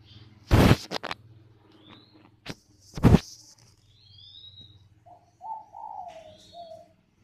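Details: Spotted dove giving its calling coo, heard late after two loud knocking bangs: a short low note, a longer wavering middle note, then a brief closing note. Faint high chirps from other birds.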